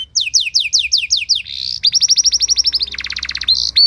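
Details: Canary tutor song with ornate phrasing, used to spur other canaries into singing: a run of rapid falling whistled notes, then a short buzzy phrase, a fast trill of rising-falling notes, and a lower rattling roll ending in thin high tones.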